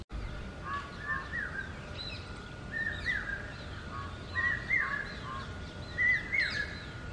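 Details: Common hawk-cuckoo, known as the brain fever bird, gives repeated shrill whistled phrases of about three notes, a flat note then rising and falling ones, roughly every one and a half seconds, with faint high chirps of other birds and steady background noise.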